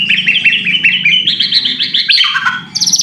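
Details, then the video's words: White-rumped shama singing a provoking lure phrase: a fast run of bright, repeated chipping notes that shifts into lower slurred whistles and ends on a high thin note, with a low hum beneath. "pancingan murai batu AGAR BUNYI jitu untuk JADIKAN murai batu GACOR EMOSI"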